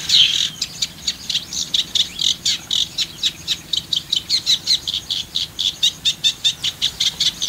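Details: Eurasian reed warbler from Parque Natural El Fondo, Spain, delivering a long, even sequence of harsh chirring notes repeated about three to four times a second in a rhythmic, mechanical chatter.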